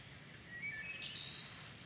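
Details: Wood thrush in a dawn chorus: a brief phrase of clear notes slides upward, then breaks into a high, bright trill. Soft background noise throughout.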